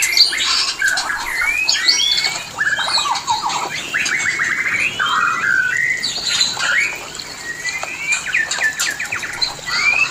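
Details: Mating call of the white-rumped shama for inducing breeding condition: rich, looping whistled phrases that rise and fall, mixed with rasping squawks and quick chatter, delivered continuously.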